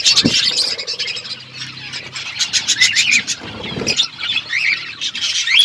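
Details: Feeding parrot on February 25, 2024, giving harsh squawks and rapid chirps, joined by a thick chorus of twittering birds, with low knocking and bumping sounds near the start and around the fourth second.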